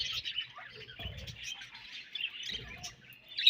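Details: Budgies feeding on their favorite food make short, high, rapid chirps and squeaky warbles, with soft low thumps and rustles beneath, ending on a sharper squeak.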